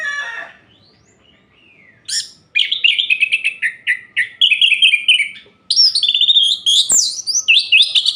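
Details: Orange-headed thrush singing at night, used to stir other orange-headed thrushes into mating condition: after a brief opening note and a pause, fast varied whistled phrases come in bursts, trilled and slurred, mostly high-pitched, with no other sounds.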